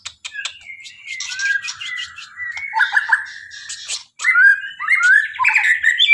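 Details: White-rumped shama in full song: a long, fluid stream of whistled and warbled notes, some gliding and some clipped, with a brief silence before a louder, brighter burst of rapid varied phrases.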